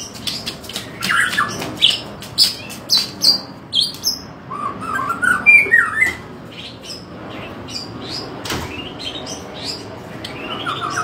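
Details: Medan-type white-rumped shama giving loud fighting-style gacor tarung song: a fast run of sharp, squawky, chattering notes about four per second, then warbled upslurred whistles, in a small indoor space.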